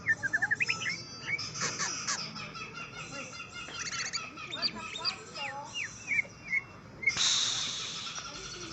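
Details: Greater green leafbird facing a rival, pouring out a busy song of rising whistles, short chirps and slurred notes, ending in a harsh burst of rasping noise.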